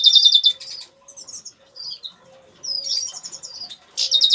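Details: Major goldfinch of agate colour singing in an aviary, opening with a fast buzzy trill, then tinkling twitters and rising slurred notes before another harsh trill; a faint steady low hum runs beneath.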